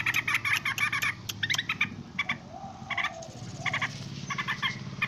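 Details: Noisy yellow-vented bulbul calls, with quick rattling bursts of bright chattering notes separated by uneven gaps over a low background hum.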